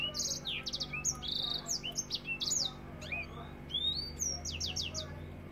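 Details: Dense African finch song in the 'nembak rapet' style for training other songbirds: clusters of short high flat whistles and falling slurs, pausing briefly before another fast burst, low hum underneath.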